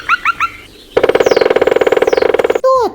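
A woodpecker drums a fast, steady roll of about sixteen taps a second for over a second, between three short chirps before it and a falling call after.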